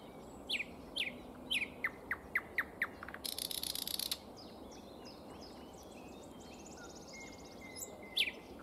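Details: Common nightingale singing in spring: a row of sharp upswept whistled notes, then a fast dry buzzing rattle about a second long, followed by varied chirps and twitters and another upswept note near the end, over soft steady background noise.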